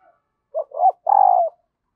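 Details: Female dove calling to excite a male, a lure that wild males answer quickly: two short low notes, then a longer, rough, slightly falling coo. The background is quiet.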